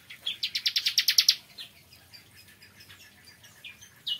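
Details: Morning song of a bar-winged prinia: a rapid burst of high, ringing repeated notes lasting just over a second, followed by scattered faint chips.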